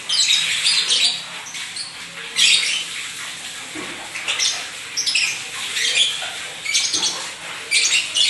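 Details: Pet lovebird kept by an Indonesian owner, described as singing vigorously (gacor); harsh, buzzy high chattering in bursts with short squawks, separated by brief pauses.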